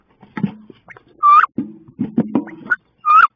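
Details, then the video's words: Fierce fight between two female wood ducks inside a nest box on 16 May: low grunting and thudding sounds broken by two loud, drawn-out squeals. "Encore Une Bataille Féroce Entre 2 Femelles Dans Le Nichoir Du Canard Branchu"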